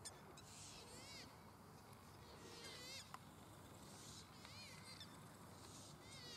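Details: Pukeko (Australasian swamphen) at Waterford park, Christchurch, in April 2019: harsh, screechy calls rich in overtones come in short bursts about every second or two, over a steady low rumble.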